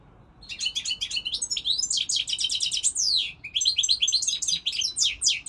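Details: European goldfinch delivering a long, lively flow of fast twittering: tumbling, liquid notes and sweeping slurred syllables packed tightly together with barely a break.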